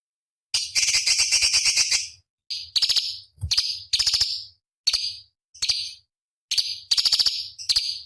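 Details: Cucak cungkok, a small songbird kept for competition training: a long, harsh rattling trill opens, followed by a string of shorter high buzzy phrases with clicking starts, spaced irregularly through the stretch.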